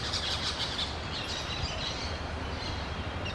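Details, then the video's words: Orange-chinned parakeets give dense, high, scratchy chirps in quick overlapping bursts throughout, over a steady low rumble of background noise. "SONIDOS DE PERIQUITOS VERDES BARBINARANJAS"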